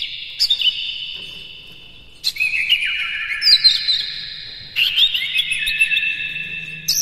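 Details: Morning lure song of a captive Oriental magpie-robin in the energetic "konslet" style. Three loud phrases of clear whistles, each starting with a sharp note and falling into rippling, varied notes.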